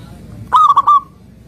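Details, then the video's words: A single short song phrase from a local zebra dove: three or four rapid, rounded cooing notes run together in under half a second, over a quiet low hum. "Perkutut Lokal Gacor"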